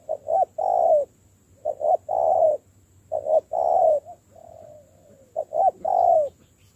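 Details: Spotted dove in decoy training repeats two quick coos and a longer coo, about every one and a half seconds, with a soft drawn-out coo in a pause.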